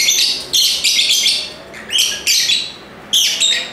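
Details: Lovebird calling in a lively burst: rasping, high screechy notes run together in a long grating chatter, then sharper separate shrieks break off at uneven gaps.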